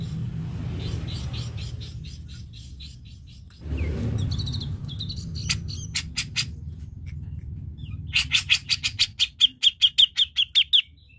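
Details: Cucak jenggot song used to stimulate another bird to sing: faint twittering over low rumbling noise, then isolated sharp notes building into a fast, loud series of repeated chirps.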